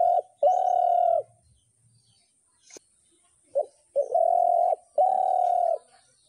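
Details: Spotted dove uttering long, even, resonant coos: one near the start, then after a quiet gap with a faint click, two more drawn-out coos in quick succession.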